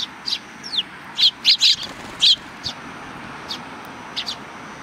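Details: Sparrows greeting visitors at a Tenmangu shrine, July 2020; a few faint thin chirps, then a run of four louder sharp notes near the middle before fading back to scattered calls.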